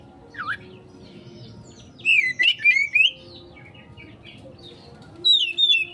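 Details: Kacer, the Oriental magpie-robin, giving a konslet-style lure song meant to draw a fast reply: a single swooping note, then a cluster of four or five bright, looping whistles, and a last high warbled phrase after a quiet gap.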